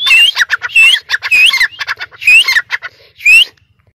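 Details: Caged francolin (teetar) on a perch in a cage, an original dakhni teetar from Sindh raised by hand from a chick: loud harsh squawking bursts with rising whistled notes, repeated in quick groups about once a second, with a faint low hum beneath.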